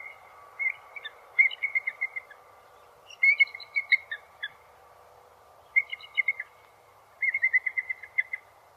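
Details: Bald eagle calling in thin, high chittering bursts. Each bursts is a rapid string of piping notes that stutters and falls slightly, and four such series are spaced a few seconds apart over a faint steady hum.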